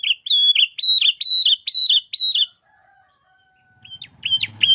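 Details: Kutilang 'Garuda isian' song for training caged sooty-headed bulbuls: five bright repeated two-part whistled phrases about half a second apart, a pause with a faint low tone, then short sharp notes over a low rumble.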